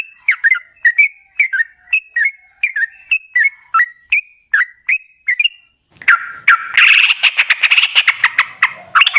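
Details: Sooty-headed bulbul, or trucukan, singing a lure song to get other bulbuls answering: steady whistled chirps for six seconds, then a louder dense chattering burst of overlapping rapid notes.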